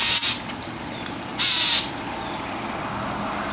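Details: A mockingbird, angry and harassing a cat that is cleaning her wet tail, gives two short, rough, scratchy calls more than a second apart, with low hiss between them.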